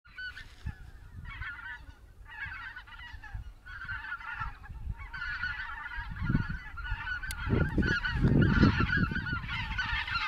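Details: Cackling geese recorded on 26 November 2016: a dense chorus of many high, cackling honks overlapping in bursts. Calling strengthens toward the end over heavy low rumbling, likely wind or handling noise.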